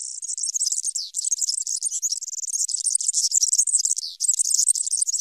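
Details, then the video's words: European serin song used for tutoring young birds: an unbroken, very high and rapid jingling twitter of dense buzzy, tinkling notes, sustained and loud for over five seconds, with only brief breaks. "ΦΩΝΕΣ ΑΠΟ ΟΡΓΑΝΕΛΙ EYROPEAN SERIN"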